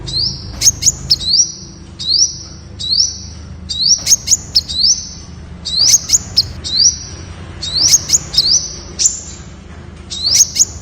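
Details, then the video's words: Temminck's sunbird (Malaysian red sunbird) singing a long sequence of very high, thin rising whistles that level into sustained sibilant tones, with frequent sharp clicking ticks throughout. "Tiếng chim Hút mật Sting (Hút mật đỏ Malaysia) ✅Temminck's Sunbird (Aethopyga temminckii)"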